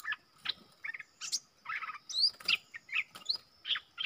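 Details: Wild southern bulbul answering a lure bird's song from a distance: jumbled bubbly phrases, burry notes and a sharp rising whistle in quick, uneven succession.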